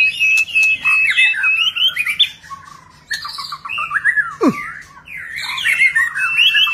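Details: Displaying White-rumped shama delivering a many-voiced song: rapid, jumbled high whistles and warbles, with one sharp plunging note sweeping far down in pitch midway, over a faint low hum.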